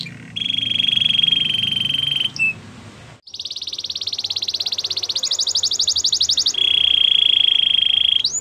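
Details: Singing canary in a training song, with a sustained bright rolling trill, a short break, then a long rapid pulsed rattle that grows more widely spaced. It returns to the clear ringing trill and ends on an upward sweep, over faint low background hum.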